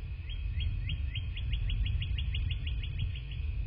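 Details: Nest-cam recording of bald eagles at their nest in southwest Florida, morning of 27 February 2024. High, thin chirps repeat rapidly and evenly, about four per second, above heavy low-pitched wind noise.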